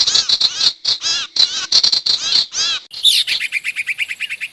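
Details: Sirtu lure call for trapping wild birds: clusters of arched chirps in quick succession, switching to a fast even run of thin high notes toward the end.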